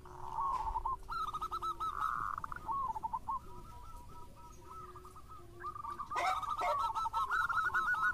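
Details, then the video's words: Local zebra dove singing actively, a lure recording: long runs of soft, rolling coo notes, repeated about three times a second, with a louder, busier burst near the end and steady background noise. "JAWARANYA PANCINGAN !! ( Perkutut Lokal Gacor )"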